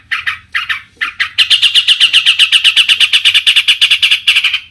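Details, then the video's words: Long-tailed shrike singing to provoke other shrikes into answering: a few scratchy notes, then a fast, even series of harsh chattering notes repeated about four times per second. "cendet gacor Variasi BIANGNYA bikin cendet lain emosi ikutan bunyi langsung NYAUT"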